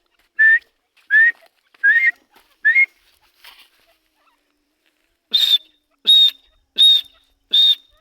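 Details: Grey francolin calls: four lower rising whistled notes, a faint pause, then four loud shrill high whistles repeated steadily.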